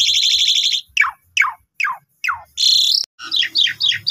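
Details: Young Asian pied starling song used to train other starlings, opening with a long buzzy rattle, then five falling slurred notes, a harsh rising buzz and a run of short squeaky phrases.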